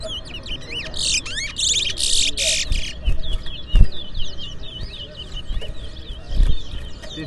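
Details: Towa towa (chestnut-bellied seed finch) singing at a fundraiser bird whistling competition held at a bird ground in Port Mourant, Guyana, in 2024. Rapid, sweeping high whistled notes run in quick succession, with bursts of noise, music and people counting aloud.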